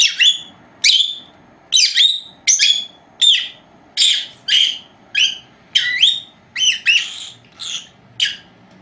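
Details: Two female lovebirds, four months old, calling while napping indoors; a steady string of shrill, whistled chirps, about one or two a second, for nearly nine seconds.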